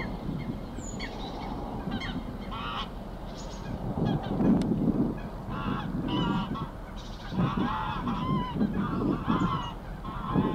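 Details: Mother Greylag Goose swimming with her goslings at Getterön on 20 April 2022: nasal, harmonic honks in irregular bursts over a steady low rumble of wind and water, with thin high peeps scattered between.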